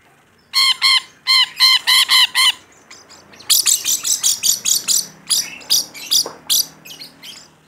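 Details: Rainbow lorikeet calling busily: a fast string of clear harmonic squawks, then a rougher, buzzier chatter of many short harsh notes running to the end.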